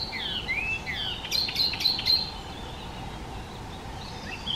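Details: Icterine warbler, a species that imitates other birds, giving slurred whistled phrases, then a burst of rapid clicking notes, followed by softer high whistles.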